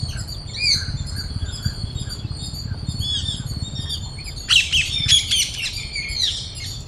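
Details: At a Bangalore park where a parrot flock feeds on grains, soft distant chirps give way midway to a sudden burst of loud, rasping squawks, then quieter calls again.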